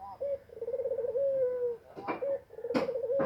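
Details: A spotted dove near egg-laying delivers rolling, vibrating low coos, a long phrase then a short note starting another, while sharp knocks and scraping sounds break in.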